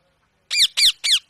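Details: Indian parrot in a playful mood: a quick series of three strident, harsh screeches, each sliding downward in pitch, delivered at an even pace in a quiet setting.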